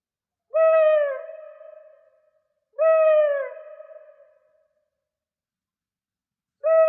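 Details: Owl giving long, mellow hoots that start bright and slide slightly downward before fading with a trailing echo; two full calls about two seconds apart, a third beginning at the end, silent background.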